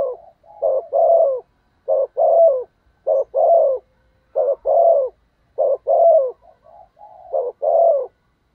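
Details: Decoy spotted dove delivering persistent cooing meant to draw wild doves. Phrases of two short notes and a longer falling coo repeat about every 1.2 seconds across several cycles in a quiet setting.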